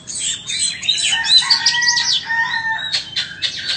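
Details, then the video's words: White-rumped shama pouring out a rich song of overlapping whistles, fluty slurred notes and high twitters, followed by a few sharp clicking notes. "Chích choè than bông"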